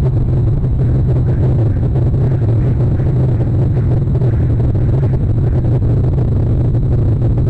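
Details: Loud low rumbling of wind or engine noise, steady throughout, with no animal sounds.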